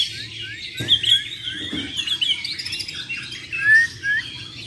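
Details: Champion Bornean white-rumped shamas in a singing contest, Muara Wahau type: high, busy jumble of thin whistles and short slurred notes, a few louder chirps standing out, over a faint low hum.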